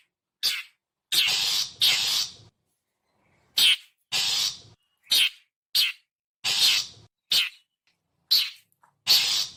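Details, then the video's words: Typical call of a long-tailed shrike (cendet), used as a lure for wild birds: about eleven rasping, scratchy bursts alternating short snaps and longer grating notes, irregularly spaced, with no other sounds. "suara panggilan khas burung cendet"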